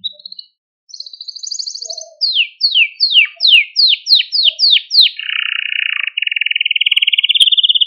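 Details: Singing male Maltese canary, recorded to stimulate other canaries, giving a short whistle, a buzzy trill, a run of about eight swooping descending notes, then a long even rolling trill that rises slightly at the end.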